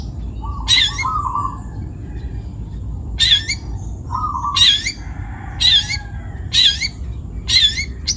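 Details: Long-tailed shrike, a young forest bird from Pati, Central Java, Indonesia, giving harsh buzzy bursts with a squeaky whistle inside, repeated about once a second, plus a couple of lower nasal chatters early on.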